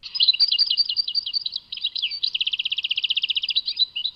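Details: Goldfinch singing at Tadmait: chattering twittered notes build into a long, regular trill of rapid repeated pulses, closing with a few looser twitters.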